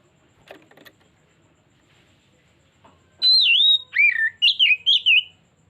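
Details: Oriental magpie-robin (kacer) in a lure recording meant to draw out its full repertoire: after faint clicks and quiet, a loud burst of varied whistles: a wavering note, a falling upslurred note, then quick twisting notes.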